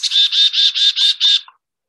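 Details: A Black-capped Chickadee gives a variant of its chickadee call made only of 'dee' notes with no 'chicka': a run of six harsh, buzzy notes, about five per second, with no other sounds.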